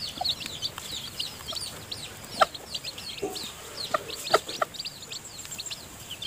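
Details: Domestic chicken: a hen feeding her newly hatched chicks in the nest, the chicks too weak to leave it yet. Dense high, thin cheeping fills the clip, with a few soft low clucks and sharp pecking clicks.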